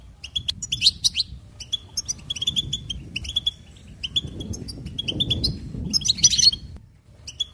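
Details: Goldfinch delivering a continuous stream of high, quick tinkling notes and short trills, with a buzzy flourish near the end and soft low background noise.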